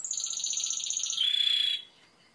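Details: Timbrado canary delivering a rapid pulsing trill that shifts into a smoother, steady, buzzy tone. It stops abruptly after under two seconds, leaving a quiet background.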